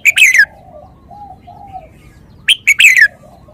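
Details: Red-whiskered bulbul repeating a quick, bright whistled phrase of several notes with a downward slur, two phrases about two seconds apart, and soft murmuring tones between them.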